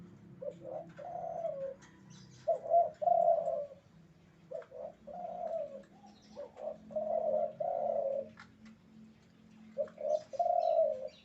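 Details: Spotted dove, a male in breeding condition, giving repeated mellow coos: short lead-in notes then a sustained hollow coo, phrases coming roughly every two seconds, with a quiet low background hum.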